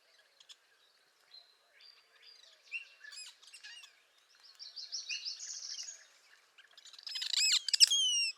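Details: Spring song of a northern parula, a rising buzzy trill in the middle, preceded by scattered short chips and followed by loud, repeated, downward-slurred notes from another bird.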